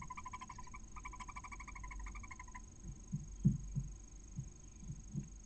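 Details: Nesting female barn owl in Cabañeros National Park, Spain, calling to her first chick hatching from a clutch of six. Two quick strings of harmonic chirping pulses, followed by soft knocks and thumps of movement in the nest.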